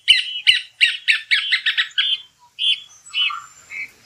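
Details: Rufous cacholote (casaca-de-couro) in the Brazilian sertão giving a fast series of harsh, squawky chattering notes that quicken then slow into a few drawn-out rasping calls.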